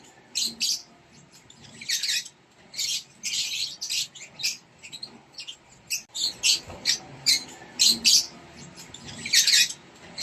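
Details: Nestling rosy-faced lovebirds (Lovebird Non Klep) begging while fed in their nest box, Indonesia; a rapid series of short, scratchy, hissing chirps, many separate bursts packed through the recording, quieter and choppier than steady rasps.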